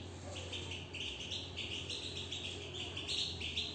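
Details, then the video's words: European goldfinch singing from inside its cage: an unbroken stream of bright, twittering notes, evenly pitched and lively, with a steady low hum beneath. "نبدة من انسجام و تغاريد للحسون من داخل السلاكة"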